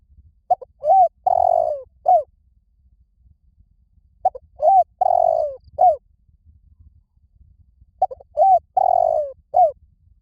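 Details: Spotted dove giving luring coos to draw other doves in, three evenly spaced phrases, each with two short notes, a long wavering coo and a final short note, separated by roughly three seconds of quiet.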